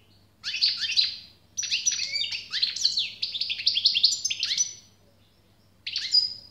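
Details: European goldfinch singing a lively, jangling series of quick twittered notes and short buzzy trills, ending in silence and one last chirpy phrase.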